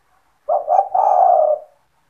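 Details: Spotted dove (tekukur) owned by a bird keeper, calling actively, a sound meant to attract other spotted doves: one soft, low phrase of two quick notes followed by a drawn-out, gently descending coo in a quiet setting.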